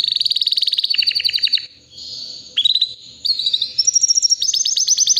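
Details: Healthy white canary about three years old singing strongly: fast pulsed trills at two pitches, a softer rolling passage, then bright rising whistles and rapid high repeated notes.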